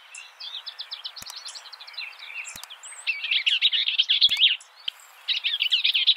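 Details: High, rapid skylark song of stuttering repeated chirps building into dense, tumbling warbled phrases, broken by a brief pause and resuming, with a few sharp clicks in the background.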